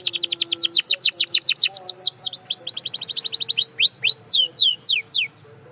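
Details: Canary song played so silent canaries will start singing: rapid run of falling high whistled notes, then slower, wider down-slurred notes, ending abruptly in near silence.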